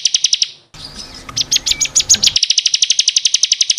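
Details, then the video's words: Bar-winged prinia singing for a caged-bird training recording: a quick high trill, then a jumble of short chirps and whistles leading into a long, steady run of fast repeated notes. "SUARA BURUNG CIKRIS | CIBLEK KRISTAL GACOR BUAT MASTERAN"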